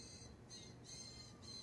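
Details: A juvenile Blue Jay, about two months old, one of about three fledglings from a front-yard nest begging near a seed feeder with its mother nearby, gives three harsh, raspy squawks in quick succession, each about a third of a second long, over a low background rumble.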